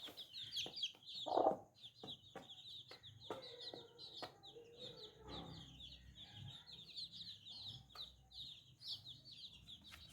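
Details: Little new chicks peep continuously, high and thin, each cheep quickly falling in pitch. A loud harsh squawk comes early, followed by regular sharp clicks and faint low chatter.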